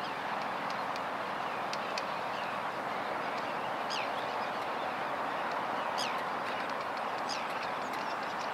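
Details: Forster's tern, filmed on 12 May 2011 with a Panasonic GH2: three sharp, rasping downward-sliding calls spaced a second or two apart, over constant broadband hiss and scattered faint calling.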